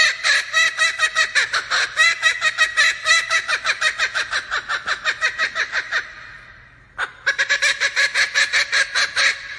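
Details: A male laughing kookaburra gives its loud, raucous laugh, a rapid run of harsh cackling notes that rises and falls, breaks off briefly, then starts again.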